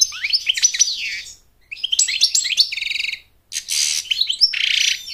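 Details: American goldfinch song, sung to attract a mate and to teach chicks to sing: quick twittering phrases of sliding high notes, a fast rattling trill, then a harsh buzzy burst, all clean with no background noise.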